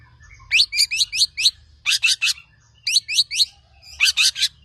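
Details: Tame long-tailed shrike singing loudly, used as a master bird for prompting others to sing: four bursts of four or five rapid, crisp descending chirps separated by brief pauses.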